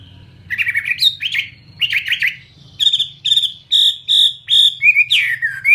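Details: Chinese hwamei of fighting type, Vietnam, mixes harsh buzzy slurred notes with a rapid series of steady, even whistles repeated about twice a second, closing with a long falling whistle. A soft low hum sits underneath.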